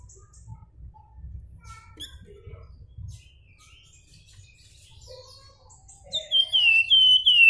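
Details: Javan Fulvetta (flamboyan) in nyuling flute-like song: after several seconds of scattered soft chirps and low hum, a run of loud, pure whistled notes arrives near the end, each gently descending.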